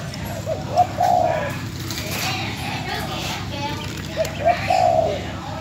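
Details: Spotted dove used as a decoy bird in Bến Tre, old and about to leave for a new owner, delivers two low, throaty coo phrases several seconds apart over faint speech.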